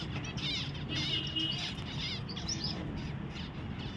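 Zebra finches give busy, nasal chirps and buzzy trills over a steady low rumble.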